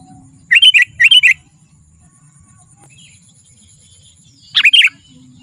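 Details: Sooty-headed bulbul, used to call wild bulbuls in the forest and for song training: two paired bursts of quick, liquid chirps, a three-second gap, then a further short burst.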